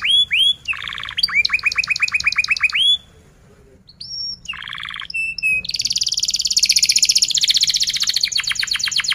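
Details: Canary in strong rolling song, used to prompt young or silent canaries to sing; repeated upswept notes and low rapid trills, a short pause, then a long high buzzing roll ending in rapid pulses.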